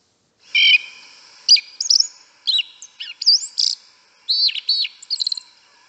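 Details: Yellow-legged thrush singing its wild woodland song type in the forest: separate high, clear phrases, some with quick stacked notes, others a sharp whistled slur, given in bursts with brief pauses over a steady faint high hiss.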